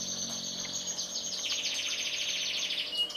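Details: A black-red canary and a yellow canary sing a continuous high rolling trill of rapid notes, shifting pitch midway into a denser buzzy run, ending with a short clear whistle.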